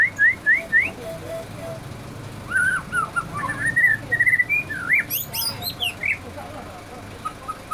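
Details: Easily agitated white-rumped shama delivering a run of rising whistled notes, then a fast jumbled sequence of twittering slurs and very high sharp chirps, fading into scattered short notes.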